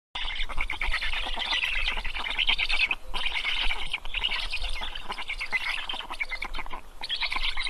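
Black heron chicks give a dense, harsh, rapid chatter of raspy begging notes in long bursts with brief pauses, over a low rumble of background noise.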